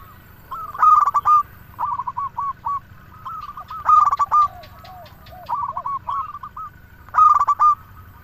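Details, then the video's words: Local zebra dove in energetic song, used to make other doves sing: loud stuttered cooing bursts alternate with quieter runs of repeated coos, almost continuous, with occasional lower swooping notes. "Perkutut lokal gacor suara paling ampuh untuk pancingan burung perkutut agar bunyi"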